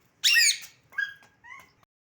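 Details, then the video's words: Household pet parakeet giving a harsh, raspy screech, then two short, thin whistled notes, heard indoors as a person talks to it. "টিয়া পাখির অসাধারণ স্পষ্ট ডাক"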